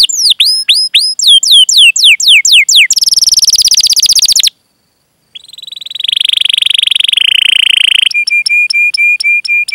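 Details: Canary song of rapid chirps and long rolls, meant to lure other canaries into singing. Sweeping chirps give way to a fast trill, a brief pause, a sustained buzzy roll, then evenly repeated whistled notes.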